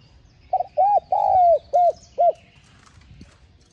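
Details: One phrase from a spotted dove, used to stimulate caged doves to sing: two short hollow coos, a long drawn downward note, then two clipped coos in quick succession. Quiet background.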